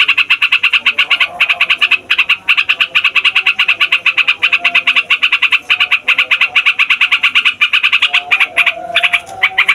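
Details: Boisterous fighter yellow-vented bulbul delivering a long rolling song used as a lure for wild bulbuls: nearly ten seconds of fast, repeated nasal chatter, steady and dense, with a few brief gaps and a changed note near the end.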